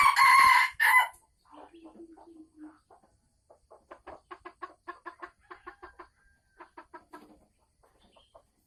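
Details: Pre-laying cackle of a caged female Sumatran red junglefowl, recorded 24 December 2020: two loud, harsh squawks open, then a long series of quick, clipped clucking notes roughly three per second.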